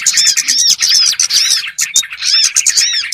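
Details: Small-bird trapping lure: rapid, crowded chirping with arched whistled notes and sharp high ticks, running almost without pause and briefly easing just before two seconds.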